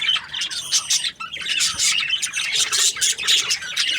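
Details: Australian budgies chirping together in a dense, continuous chatter of high, scratchy twitters and short whistled notes, overlapping without pause.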